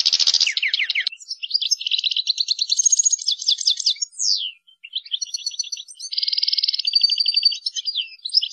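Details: European goldfinch masteran in the ngrool tembak style: harsh buzzy opening, then varied high trills, a swooping downward whistle, a short pause, and more rapid rattling phrases.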